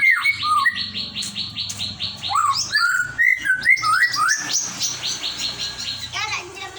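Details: White-rumped shama (murai batu) singing a rich, varied song: a rapid series of repeated notes, then looping whistled phrases that rise and fall, mixed with sharp chirps and a dense burst of trills near the end; a faint low hum underneath.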